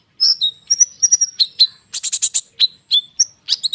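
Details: Konin bird singing densely to prompt other birds to respond: rapid high chips, short whistles and buzzy clusters run almost without pause, all high-pitched and varied.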